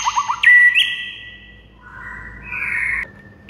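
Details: White-rumped shama in morning song, a master recording for tutoring other birds: a few quick rising chips, a loud ringing whistle, then softer drawn-out warbled notes ending abruptly.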